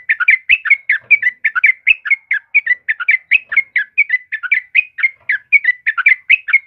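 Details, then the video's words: Yellow-vented bulbul singing busily, offered as a model for caged birds: dense, steady chatter of short liquid whistles, repeated a couple of times per second throughout, with nothing else audible. "SUARA TRUCUKAN KEBO GACOR"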